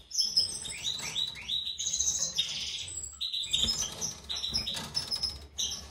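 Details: European goldfinch from a captive breeding pair, a white-throated mutation male and a classic female; rapid twittering song of high tinkling notes and short downslurred trills in quick bursts, with brief pauses and faint wing flutters.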